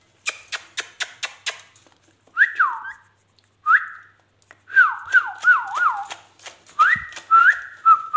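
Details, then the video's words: Indian ringneck parakeet talking: a quick run of sharp clicks, then drawn-out whistled phrases that swoop down and rise again, some given in fast wavering series, with almost no background sound. "amazing ringneck talking"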